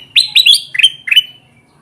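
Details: Kutilang emas bulbul calling energetically, a sound used to lure wild bulbuls to sticky traps: five or six quick, loud, clear chirps that each dip in pitch, all within about a second.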